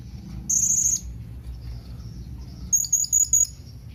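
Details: Blue-crowned hanging parrot giving a companion-seeking call: a brief very high buzzy trill followed by four sharp, evenly spaced high pulses, faint low background noise.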